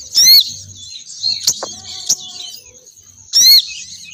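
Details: Female crimson sunbird lure sound for drawing males down: a loud, high squealing burst at the start, then sharp clicks and thin twittering, and another matching burst after about three seconds.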